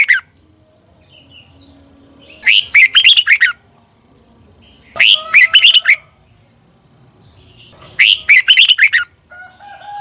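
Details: Red-whiskered bulbul morning song, used to train and spur other bulbuls to sing, in three short bursts of five or six rapid warbled, slurred notes, each about one second long, separated by pauses of a few seconds.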